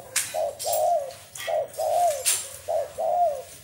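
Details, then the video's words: Spotted dove calling: low, mellow coos in paired phrases, a short note followed by a longer one that swells and then falls. There are three pairs in under four seconds, with sharp clicking sounds between the phrases. "Nghe tiếng chim cu gáy hay"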